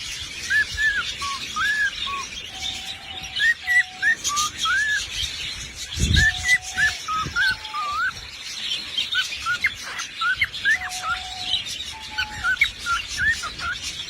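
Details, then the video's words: A parrot sings a long run of quick whistled notes, some rising, some curling, with lower flat drawn-out whistles between bursts and a brief low thump midway. "Singer Parrot"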